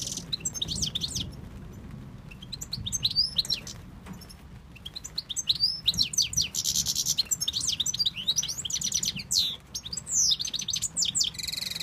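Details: European goldfinch of Tunisia, a male urged on by its keeper, sings a long, continuous, rapid medley of high twittering and liquid notes with rising and falling sweeps and short buzzy patches; steady low hum behind.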